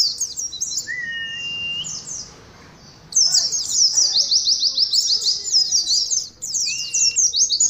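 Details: Caged Oriental white-eyes in 'ngalas' singing: opening chirps and two level whistles, a near-silent pause, then a loud dense stream of fast, high descending notes from several birds.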